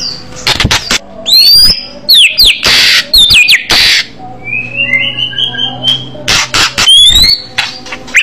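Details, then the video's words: White-rumped shama singing loudly in aggressive fighter style: sharp upswept whistles between loud clicks and bursts, then a soft high warble and more abrupt whistled notes. "murai batu bergaya agresif burung fighter suara keras tembakan jitu"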